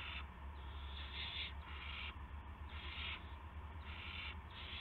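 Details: Evening of March 18, 2016, 8:00 PM, owls at a nest with a gopher brought in; long rasping hisses, some over half a second, come in a near-continuous series over constant low background hum.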